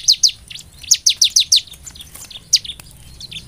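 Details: Bar-winged prinia lure song for stimulating singing: two sharp high downslurred notes, a pause, then a quick run of five, and a single later note with faint twittering.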